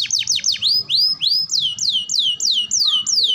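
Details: Canary in full song, a tutor recording for young, developing and adult birds: loud, clean descending whistled sweeps repeated about three times per second, with a quiet low background murmur.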